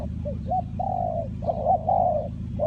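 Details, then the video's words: Spotted dove linked to bird-trapping with lure birds, giving soft, low cooing notes: short clipped coos followed by longer drawn-out, slightly wavering coos in two phrases, over a steady low mechanical hum. "Cu gáy Ninh Thuận,นกเขาใหญ่สายต่อดิน,Tekukur pikat,The Sound Of dove"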